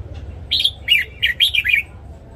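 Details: A red-whiskered bulbul's morning training song for newly caught and young birds: a rapid run of clear, warbling notes, each swooping up and down, lasting just over a second.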